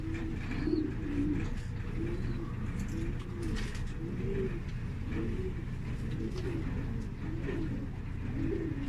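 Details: Tumbler pigeons of the black qatayef variety give repeated deep, bubbling coos in a steady series, one phrase about every second, over a continuous low hum.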